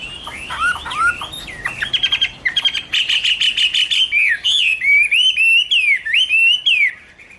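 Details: Chinese hwamei (Garrulax canorus) in full song: varied fluty whistles, rapid stuttering notes, then long series of loud swooping, rising and falling whistled phrases with strong harmonics, nearly three per second.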